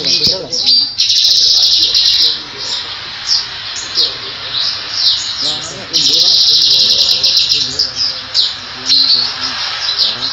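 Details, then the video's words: Grey-headed canary-flycatcher song, captured again from an earlier recording: dense, very high-pitched trilled phrases with sharp chirps, nearly continuous, with brief pauses about every few seconds and faint lower background sounds. "sikatan kepala abu2 - grey hoded canary flycatcher"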